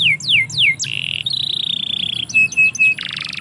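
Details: Canary song outdoors in a yard: three quick descending whistles lead into a long sustained buzzy note, then three short clear whistles and a dry rattling trill.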